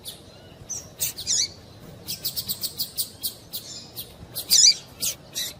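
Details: A female double-collared seedeater calling to encourage a male to sing. A few sharp chirps lead into a long run of quick repeated high notes, with a louder buzzy burst near the end.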